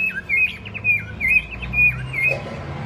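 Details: White-rumped shama singing its long voice to rouse other birds: loud high whistled notes alternating with quick downward slurs, four short phrases in under three seconds, faint low background noise.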